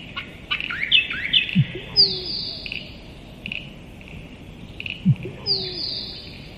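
Musk duck giving a deep hollow plonk followed by a thin, high falling whistle, repeated about every three and a half seconds over busy chirping from other birds.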